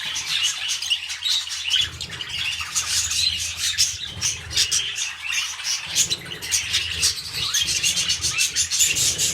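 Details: Pet budgerigars mating at the start of a breeding cycle: a busy stream of scratchy warbles and quick ticking notes, loud and unbroken, with soft thumping and a low background hum.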